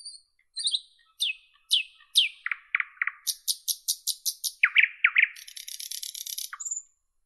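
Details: Nightingale song in a clean recording: falling whistled notes, deep chocked pulses, a fast run of high ringing notes, loud swooping chuckles, then a long harsh buzzing rattle and a final thin whistle.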